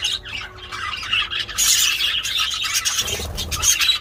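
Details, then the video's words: Budgerigars calling loudly while mating: quieter warble at first, then a burst of harsh squawking chatter after one and a half seconds, continuing busily to the end. "They are so loud #budgiemating #budgiesound"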